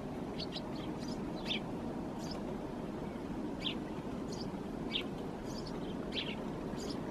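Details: Eurasian tree sparrow sitting on a branch inside a Helsinki thicket in January 2022. Sharp, short chirps sound every second or so, sometimes in twos, with a continuous low rumble of distant traffic beneath.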